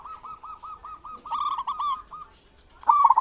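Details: Lure song from a local zebra dove, kerot and bekur type: a string of evenly spaced soft, hooked coo notes running into a quick trill, then a loud, abrupt rolling burst at the end.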